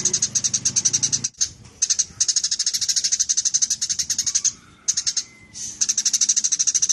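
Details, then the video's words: Eurasian tree sparrow in energetic chirping for training songbirds: fast, even runs of sharp bright chirps about five per second, broken by short pauses, with a faint low rumble at the start. "Burung Gereja Gacor!!"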